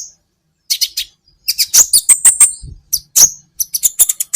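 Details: High-pitched sunbird song, the kolibri ninja used as a tutor for caged birds: irregular series of sharp ticking chips with brief thin whistles, fast and uneven, faint low knocks underneath.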